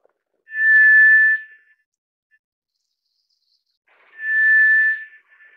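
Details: Pair of steady monotone whistles from a White's thrush, each near a second long and about three and a half seconds apart, in otherwise silent background.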